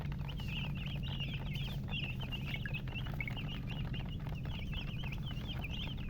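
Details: Baby chickens chirping: dense runs of high, wavering peeps from several chicks, nearly continuous, with a constant low background hum.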